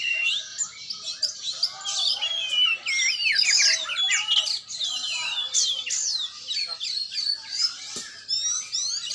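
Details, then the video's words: Oriental magpie-robin being trained, pouring out a long, lively medley of high whistles, rapid trills and squeaky notes, changing phrase shape every moment across nine seconds. "latihan burung kacer"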